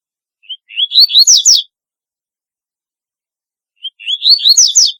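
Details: Double-collared seedeater singing a distinctive song: a short high note, then a run of rising, buzzy whistled slurs climbing into sharp chirps, about one second long, with a second phrase after roughly three seconds of silence.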